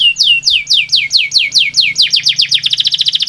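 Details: Canary song meant to get idle pet canaries singing: a series of bright downslurred whistles about four per second, speeding into a faster run of short notes at the end, over a faint low hum.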